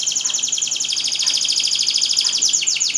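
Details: Canary song used to coax quiet canaries into singing: a continuous, rapid rolling trill of high bright notes with a faint background hum.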